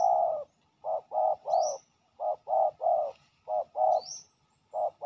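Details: Aggressive territorial male spotted dove drawn in by a ground decoy, giving rapid low hollow coos in groups of two to three, nearly continuous, with faint high sliding chirps overhead.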